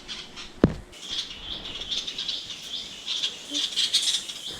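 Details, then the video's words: Bulbul chicks from a nest in a tree near a house, just learning to climb and repeatedly falling; thin high chirping and twittering in bursts, with a sharp knock early on and faint background noise. "তো বাচ্চাগুলো কিচিরমিচির করছে, এখন সবাই একটু উঠতে শিখেছে, এরকম বারবার এসে মানে উঠতে গিয়ে পড়ে যাচ্ছে।"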